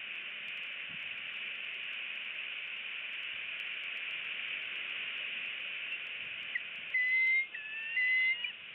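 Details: Bald Eagle in its nest tree in Northeast Florida on 14 November 2017, brooding two eggs while a large sub-adult bald eagle about four to five years old perches close by; two thin, high whistled notes near the end over steady hiss.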